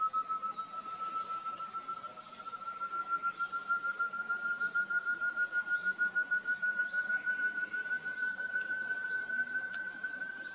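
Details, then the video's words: Such's Antthrush (Chamaeza meruloides) in Cantareira State Park, São Paulo state, Brazil, December 2023, gives a long, even series of fast hooting notes, about three a second, creeping slowly upward, with a thin insect-like whine high above. "Voice of Chamaeza meruloides (Tovaca-cantadora, Such’s Antthrush)"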